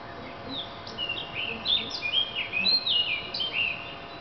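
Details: Singing thrush delivering a continuous run of varied whistled and warbled phrases, bright slurred notes rising and dropping in quick succession, with faint background hiss.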